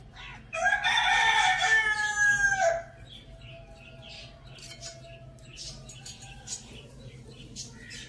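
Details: A rooster, kept with a hen that is eating spinach in a farm village, gives one loud, harmonic-rich crow lasting about two seconds, then quiet background chirps and rustling follow.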